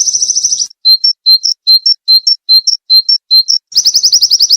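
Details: Ngalas-style white-eye song for training cage birds, sung tirelessly: a short high trill, then clear two-note chips rising in pitch and repeated about every half second, closing with another fast trill.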